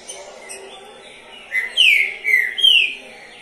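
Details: Champion caged Green-winged Saltator (trinca-ferro), a competition bird that placed third in the season, sings a short phrase of loud, clear whistled notes, slurred and falling, after a quiet start with faint background chirps.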